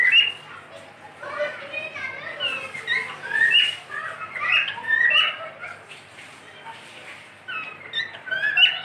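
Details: Pet cockatiel whistling: bright tonal whistles and warbling phrases with sliding notes, delivered in bursts separated by short quieter gaps.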